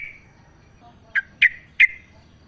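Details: Yellow-vented bulbul recorded in the wild as a lure to make captive bulbuls sing: three separate sharp, slurred chirps spaced about a third of a second apart, after a faint trailing note.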